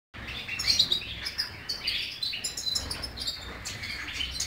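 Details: European goldfinch singing a fast, liquid twittering song of bright chirps and trills, high-pitched notes tumbling together continuously with faint low background hum.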